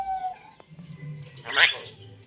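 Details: Talking white-vented myna copying human voice: a brief whistled tone opens, followed by quiet pause and a strong raspy speech-like phrase, with low background hum.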